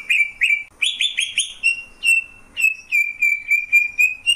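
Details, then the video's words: Greater green leafbird song of clear ringing whistled notes, some doubled in quick rising pairs, then a long steady series of similar notes repeated about every third of a second. "Cucak ijo, suara kicauan burung yang indah."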